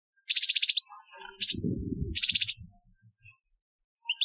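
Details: A European goldfinch gives an Algerian training song from 2015: bursts of rapid, high, tinkling twitters, each run lasting about half a second, broken by a low rumbling thud midway.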